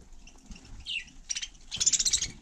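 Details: Budgerigar on snow in frosty conditions: one clear falling chirp, then a rapid pulsed burst of raspy chatter.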